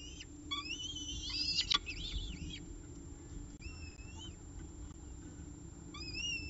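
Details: Evening meal at a peregrine falcon nest, CSU Orange nestcam, 18 October 2018 at about 6:51 pm; a loud tangle of squealing, wavering calls early on, followed by spaced single arched whines over low rumbling background.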